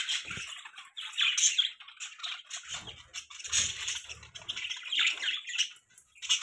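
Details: Pet budgerigars chirp in rapid scratchy twitters and buzzy squawks, coming in bursts, with occasional soft rustling or wing-flutter sounds.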